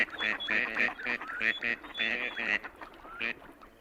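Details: Gadwall drake (Mareca strepera) call: a quick run of nasal, reedy croaks, about four per second, broken by a couple of short rising squeaks.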